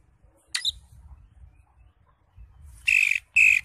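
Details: A greater green leafbird (cucak hijau) with raised crest, singing with many fill-in phrases and used as a training recording. One short chirp is followed by two harsh, buzzy, squawking notes over a low background rumble.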